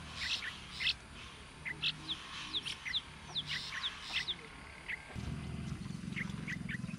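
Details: Yellow-vented bulbul chicks calling while their mother feeds them in the sun: quick, sharp, high downward-sliding squeaks in irregular runs, thinning out after about five seconds as a low rumbling noise takes over.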